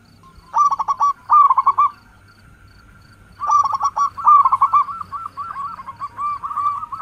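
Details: Local zebra dove song used as a lure to attract other doves: two bursts of rapid, stuttering, bubbly cooing notes, the second a long rolling run of short hooked coos with gentle pauses between notes.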